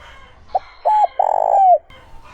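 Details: Spotted dove cooing in the smooth, pure 'trơn ròng' voice style used to lure wild doves: one phrase of a short note, a clipped double note, then a long buzzy coo ending in a falling whistle.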